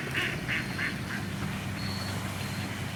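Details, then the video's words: Ducks giving four quick nasal quacks in a row at the start, then quieter background with low rumble and a faint high tone. "Cute #ducks quacking"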